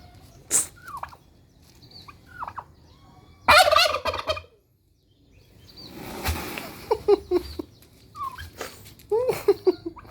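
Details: A single pet turkey, kept alone and acting very aggressive because it wants a mate, gives short gobbling and squawking bursts with pauses between them, plus some scattered clicks and knocks.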